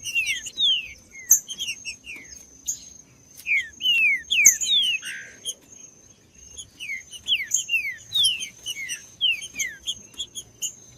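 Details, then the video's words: Green-winged saltator song made of quick descending whistled slurs, often in pairs or short runs, repeated roughly twice a second in loose bursts, with a steady thin high tone running underneath throughout. "ESQUENTAR TRINCA FERRO COM TRINCA FERRO CANTANDO"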